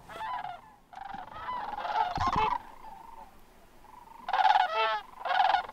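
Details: Greater sandhill cranes at a roost at dusk on a refuge in western Wisconsin in autumn, where thousands stop over; overlapping loud rolling, trumpeting calls in bursts from many birds, with gaps of softer calling between.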